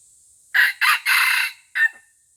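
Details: Junglefowl from Aceh, a white-legged F1 decoy bird, crowing: four loud, harsh bursts within about one and a half seconds, the third drawn out longest and the last short and set apart, over a quiet background.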